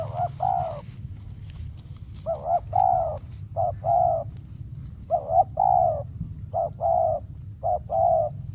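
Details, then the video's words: Spotted dove used as a decoy during trapping, calling while no wild doves come. Low, hollow coos in grouped phrases: a short note followed by a longer drawn-out one, repeated about every second and a half, over steady low rumbling background. "Bẫy Chim Cu Gáy , Cu Gáy Bổi Giờ Hiếm Quá Mồi Kêu Vậy Mà Chả Thấy"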